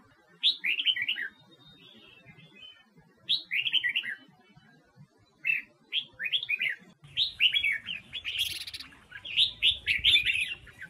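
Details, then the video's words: ['Singing female red-whiskered bulbul from Huế, used to excite wild-caught males: crisp, descending warbled phrases of three to five notes repeated after pauses of about two seconds, closing with a brief noisy rustle.'] "Tiếng Chim Chào Mào Mái Huế Hót ,Kích Chào Mào Bổi Hót"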